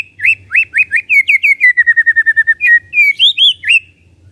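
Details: White-rumped shama kretekan, a style used to stir up emotion: about twenty quick hooked whistled notes that speed up into a steady chatter, finishing with a few higher, rising notes over a faint low hum.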